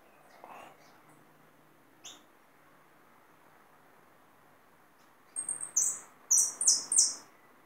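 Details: A captured hooded siskin, reluctant to sing much, breaks a near-silent stretch with a late run of high, thin twittering phrases in quick bursts over the last two seconds.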